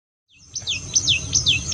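A tailorbird gives a quick series of sharp, high notes that slide downward, about three in under two seconds, over a faint low rumble.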